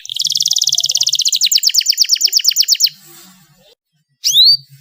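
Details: Canary song used as a lure to prompt canaries that rarely sing: a fast, even trill of high repeated notes for about three seconds, then a pause and a bright rising whistle, over faint low hum.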